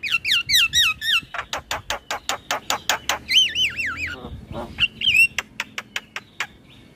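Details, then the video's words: Male Javan myna song meant for young birds to imitate: a string of wavering, rising-and-falling whistles, then rapid regular clicks repeated several times a second, another bout of looping whistles and a final quick ticking series. "Suara Jalak kebo Jantan Gacor Isian Buat Jalak Kebo Bahan Ikut Bunyi"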